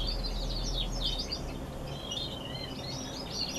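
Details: November song of several canaries: jumbled high chirps and trills in short bursts, fairly soft against a steady low background noise.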